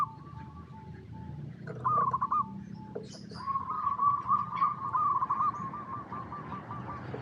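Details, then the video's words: Local zebra dove in gacor lure song used to provoke other perkutut into singing: soft trilled notes, then a sustained run of rapid bubbling coos repeating several times a second, ending in fading stuttered notes. "Perkutut Lokal Gacor RAJA PIKAT Paling AMPUH | SUARA Bikin Semua Burung Perkutut Langsung Nyaut"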